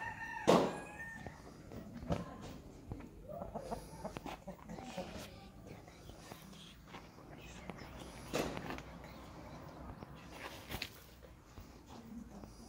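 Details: A Light Blue Brahma chicken from 2020 gives one loud, harsh, harmonic call near the start, followed by scattered soft clucks, knocks and faint voices in the background.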